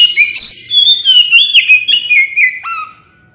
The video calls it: suara burung kacer gacor